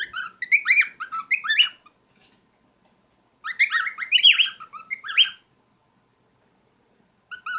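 Cockatiels chatter in bright, warbling bursts of whistled chirps and squawky notes.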